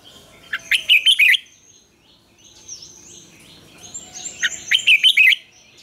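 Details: Red-whiskered bulbul in morning song, double-note style used as a training call: two bursts of five or six quick, loud warbled whistles about three seconds apart, with faint chirping birds behind.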